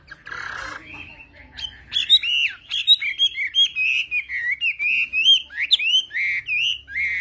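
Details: Chinese hwamei, a mountain bird of the Central Highlands forests, Vietnam, singing a long run of clear, varied whistled phrases with rising and falling slurs, closely spaced; a short burst of noise opens the recording.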